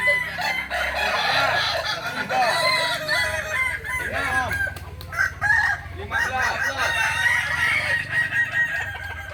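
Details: Competing Kukuak Balenggek roosters in Ampang Kualo, Solok, May 2024, deliver a steady stream of long wavering crows with rising and falling arched notes, several birds overlapping over a low rumble.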